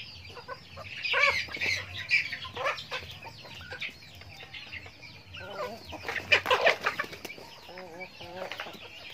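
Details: Chickens eating feed on a backyard farm; loud bursts of overlapping squawky clucks from the flock, a lull, then another noisy burst followed by short wavering trills.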